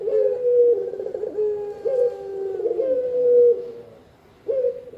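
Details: Spotted dove coos, used as a lure and as a training sound: a run of low, hollow, slightly falling notes, then a pause before a new coo starts.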